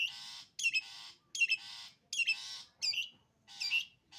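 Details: Long-tailed shrike, sembur-style singing: loud harsh rasping bursts, each opened by sharp high squeaky notes, repeated about every three-quarters of a second in a clear, quiet setting.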